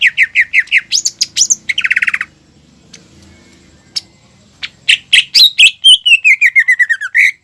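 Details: Greater green leafbird in full loud song: rapid whistled notes and chattering trills, a short pause with faint low background hum, then more varied sliding whistles.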